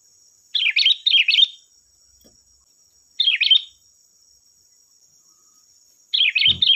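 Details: , sooty-headed bulbul song used as a lure to provoke other bulbuls to answer: short bubbly, warbling phrases of quick up-and-down notes, two phrases close together, then single phrases near 3 and 6 seconds; a steady faint high whine runs throughout.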